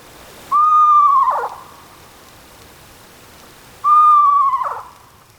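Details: Wild Eastern Screech-Owl gives two soft, even, mid-pitched trills, wavering and whinny-like. Each trill is under a second long and they come about three seconds apart, against a quiet background.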